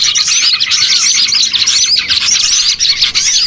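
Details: Crowded chattering of small birds, used as a lure to attract birds for trapping; high, rapid chips and slurred tweets overlap without break, sounding like a noisy gathering flock.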